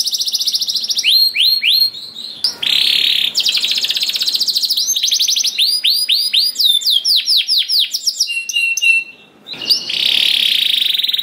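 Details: Canary song used as a lure to make other canaries sing: rapid high rolling trills alternate with series of upswept whistled notes and buzzy rattling passages, loud and continuous, with brief pauses between phrases.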